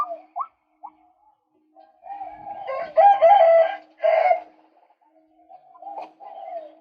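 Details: Calling male White-breasted Waterhen, played to lure birds: a few short flicked notes, then loud, harsh, nasal bursts lasting about two seconds, fading into softer low clucks.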